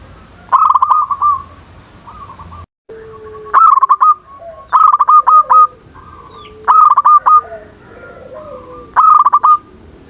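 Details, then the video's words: Singing zebra dove, a lure meant to goad rival doves into calling: five bright, choppy bursts of quick staccato coos spaced a second or two apart, with softer sliding lower coos and a brief dropout between them. "Perkutut gacor dor, memancing emosi lawan bunyi"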